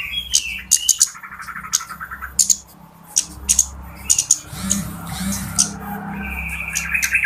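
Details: Lively flowerpecker calls played as a trapping lure: sharp, very high ticks repeated rapidly over a buzzy trilled undertone, with short pauses between busy bursts and faint low background hum.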